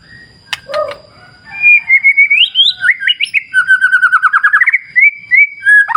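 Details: White-rumped shama beside a clear river: a few sharp clicks, then a lively stream of whistled slurs and rapid trilled notes repeating several times a second, with a low water murmur underneath.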